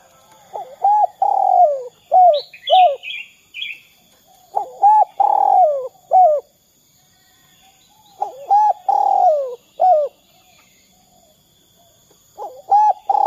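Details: Spotted dove in the "kuk 2" calling style, played to get other doves singing. Bouts of low, rounded coos end in longer sliding notes, with a pause between bouts. High, squeaky chirps from another bird sound near the start.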